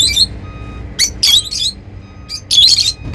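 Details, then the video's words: Happy lovebirds making shrill, squeaky chirps in short bursts, several grouped notes roughly every second, with a steady faint hum behind. "Happy lovebirds making sounds"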